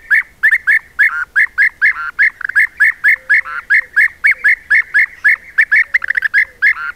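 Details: European bee-eater colony of roughly 20 to 30 birds at an apiary in Corte Franca, recorded by a trail camera; a dense, continuous stream of short, rolling, liquid calls, several birds overlapping, about four calls a second.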